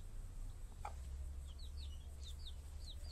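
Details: Mother hens caring for their chicks: thin, high, downward-slurred peeps repeat about every half second over a steady low hum, with one brief softer note early on.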